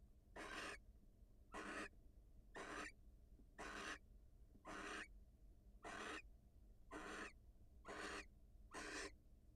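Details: Wild barn owls greeting at the nest as the female leaves to meet her mate: nine even, rasping screeches, each short and noisy, spaced roughly a second apart against faint background hum.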